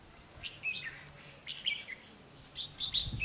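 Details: Decoy red-whiskered bulbul at a trap, 12 August 2016: three bursts of bright, quick, whistled and chirped notes, loudest near the end, with a brief low thump.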